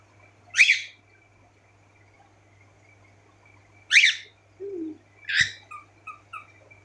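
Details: Several pet cockatiels indoors calling. Loud harsh upswept chirps repeated at intervals of a few seconds, with a brief low whistle and softer twittering notes between them, over a faint hum.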